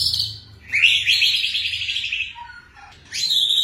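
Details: White-rumped shama singing rapidly and continuously: a loud, dense, buzzy rattling phrase at high pitch, with a lower whistled note after it and another bright phrase at the end.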